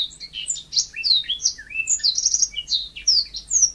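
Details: A yellow-fronted canary in full song, a continuous rush of high, varied twitters and thin downslurred whistles, with no pause.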